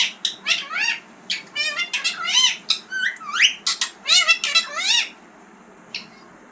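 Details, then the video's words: Talking green parrot delivering a busy burst of harsh, harmonic squawks and upward-sliding notes for about five seconds, then falling quiet apart from one short final chirp. "Talking parrot# green parrots# bolane wala tota# bird voice"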